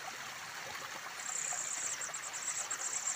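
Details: White-crowned Forktail chicks at a nest on a steep cliff, fed by a parent, give very high, thin, rapid ticking calls that start after a second, over the steady rush of a stream.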